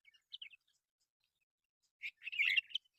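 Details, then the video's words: Mynas at a local nature reserve: a few short high chirps, a pause, then a dense, harsh burst of chattering notes near the end. "mayna birds!"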